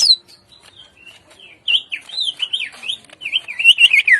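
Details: Greater green leafbird in the morning giving an energetic lure song with rough bursts: a run of quick, slurred whistled notes that rise and fall, fast and irregular, growing denser and louder toward the end.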